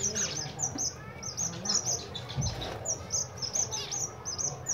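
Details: Zebra finches during winter: steady stream of short nasal chirps from several birds, quick and high, with one brief dull thump midway and low hum behind.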